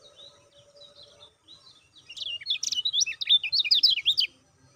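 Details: Lemon-bellied white-eye call used to stimulate caged birds into singing: faint scattered high notes, then a loud, rapid burst of about fifteen sharp, high chirps tumbling up and down for two seconds before stopping.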